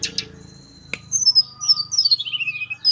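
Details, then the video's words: A young blood-breasted flowerpecker from Merapi learning to sing gives a fast string of thin, very high descending chirps that slide lower toward the end, after a few sharp clicks. "Tledekan gunung lokal merapi paud belajar bunyi"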